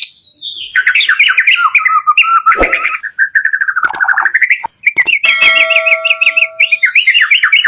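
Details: White-rumped shama singing a full-variation 'door' lure song meant to prompt caged birds: descending whistled opening, then mixed chattering notes with sharp clicks and pops, ending in a fast looping trill.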